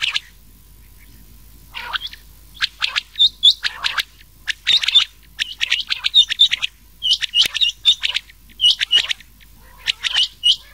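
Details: Rain quail recording used for night-time quail hunting in summer, mixed with old quail voice: sharp, high, metallic notes in quick paired bursts, repeated in irregular runs about every second against a quiet background.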